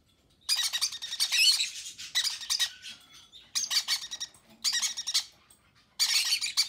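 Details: Parent conures feeding their babies; chicks utter loud raspy, throbbing begging bursts lasting about a second each, separated by short quiet spells.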